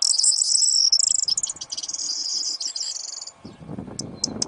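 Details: Corn bunting in the breeding season, singing close up to draw its mate's attention: a dense, high, jangling metallic rattle lasting about three seconds, then a pause with low rustling and a few sharp high clicks.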